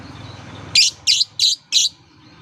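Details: Shrill lovebird chirping, played as a lure for young lovebirds still learning to sing. Four loud, rasping high chirps come at roughly third-second intervals over a faint low hum.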